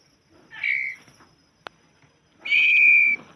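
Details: White-rumped shama (murai batu) singing: two loud, pure whistled notes, the first short and slightly wavering, the second a long, steady, level whistle held for almost a second, with a sharp click between them.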